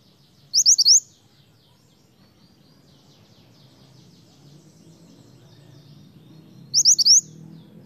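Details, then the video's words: Lure song of a snowy-browed flycatcher, locally mantenan: a tight cluster of high, thin upslurred notes near the start, then an identical cluster six seconds later, with a soft background murmur. "suara mantenan gacor untuk pancingan mantenan bahan"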